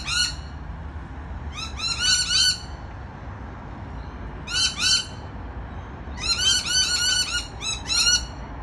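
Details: Rainbow lorikeets on a balcony give short bursts of rapid, shrill chattering notes, three clusters separated by pauses, the last burst longest and densest.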